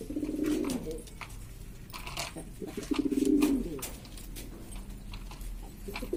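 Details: Domestic pigeons from East Lombok, Indonesia, hobbyist birds of several varieties, noisily calling: a low gurgling coo at the start and another around three seconds, with scattered clicks and shuffling sounds between.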